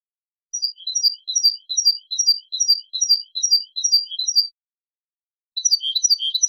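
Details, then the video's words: European goldfinch giving a basic song pattern: bright, high twittering notes in quick descending chains, about two per second, repeated for four seconds, then a pause before a fresh burst of rapid chirps. "CANTOS BASICOS DEL JILGUERO ** MECIDAS"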